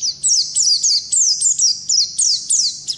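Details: Oriental white-eye, wild 'ngalas' type, in long 'ngerol' rolling song meant for tutoring: short, high, descending whistled phrases repeated about three times a second in a steady, even rhythm.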